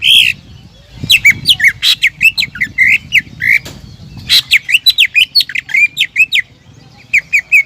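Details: Lure song from a greater green leafbird to goad rivals: choppy phrases of scratchy chirps and clear whistles, with wing-flutter-like noise early on and short pauses between bursts.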